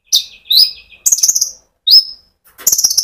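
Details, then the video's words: Konin sunbird singing in rolling ngerol style as a lure for other sunbirds: up-slurred high whistles and a thin note, interleaved with bursts of rapid, very high buzzy chatter. "pancingan Burung Konin gacor ngerol untuk kolibri ninja ijoan sampe metalik"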